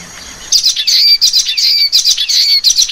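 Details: Common waxbill chattering steadily, about a dozen short, high, buzzy chips following one another almost without a break.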